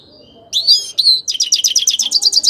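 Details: Short burst from a grey-crowned goldfinch: a couple of high, swooping whistled notes followed by a rapid, evenly pulsed twittering trill.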